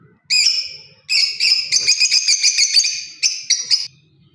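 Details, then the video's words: Lovebird parrot chattering: a couple of long shrill chirps, then a rapid run of pulsed, stuttering high notes and a few final sharp chirps, in a quiet room. "Love bird parrot beautiful Chripping sounds voice"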